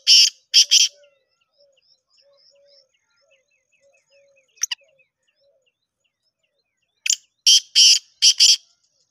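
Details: Black francolin (kala teetar) giving a call in the style known as Shedi Speeder: harsh, grating bursts at the start, then faint thin notes, and a closing run of four rasping, buzzy phrases. The background is otherwise quiet.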